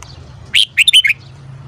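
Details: Red-whiskered bulbul morning song: one brief, clear phrase of four quick whistled notes, bright and slightly descending, set against a steady low hum.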